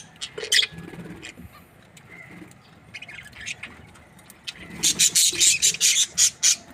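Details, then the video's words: Budgerigar breeding pairs give a few faint chirps at first, then a burst of loud, sharp, rhythmic chirps repeated in quick succession at the close. "Amazing budgies chirping sounds"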